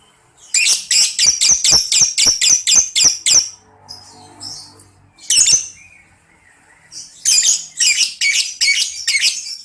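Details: Lovebird ngekek chatter, used as a training recording to prompt young lovebirds to answer: a fast run of about ten harsh, high buzzy notes, a pause with scattered squeaks, then another rapid burst of rasping notes.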